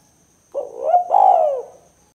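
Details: Spotted dove (tekukur) 'kuk 2' call, played to attract and challenge other doves; a short rising hoot merges into a rich, sustained, falling coo of about a second, in a quiet setting.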